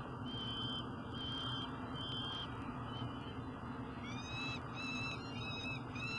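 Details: Juvenile peregrine falcons at a nest box in Elk River, Minnesota, on 16 July 2012 give thin, drawn-out whistled wails, first singly and then several overlapping, likely two birds, over a steady low rumble.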